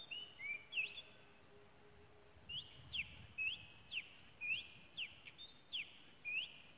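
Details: A wild Oriental magpie-robin in Malaysia sings clear, varied whistles with quick rising and falling sweeps, delivered in short bursts over a faint background hiss.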